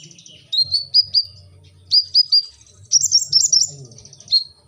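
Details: Energetic 'gacor' singing from a brown-throated sunbird, locally kolibri ninja: short clusters of three or four thin, high, bright notes, then a higher jumbled twitter and a final single note, over a soft low rumble.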